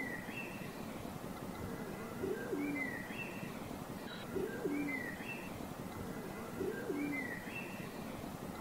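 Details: Pigeon cooing: short low coos about every two and a half seconds, each a brief rising then falling phrase, with thin higher chirps from other birds and steady outdoor hiss behind.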